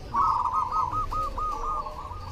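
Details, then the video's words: One cooing phrase from a cemani zebra dove: a fast, rolling, stuttered trill of soft notes at a steady pitch, slightly fading toward the end. "SUARA PERKUTUT CEMANI GACOR"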